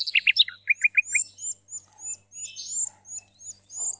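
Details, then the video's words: Algerian-bred European goldfinch hybrid singing in 2017: a quick run of bright high twitters, then four even descending chips, followed by thin, rising whistled notes repeated at a brisk pace over a soft low hum. "mixto jilguero 2017 الهجين الجزائري"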